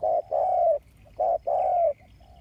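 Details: Decoy spotted dove, a rural bird used to excite wild doves, calling loud mellow coos: a short note then a long slightly falling one, given twice in quick succession.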